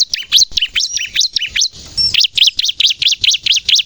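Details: Bar-winged prinia singing in the loud, persistent 'gacor nembak' style, used to lure birds and to prompt untrained birds to sing: sharp, high, buzzy chirps repeated rapidly, broken by a brief hissy pause with a thin whistle near the middle.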